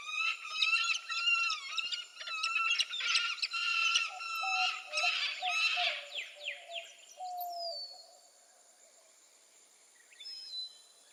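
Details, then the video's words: A peregrine falcon gives a fast run of harsh, nasal notes, about two per second, trailing into thinner descending squeals, over a faint steady high hiss. "Peregrine Falcon Bird Sound"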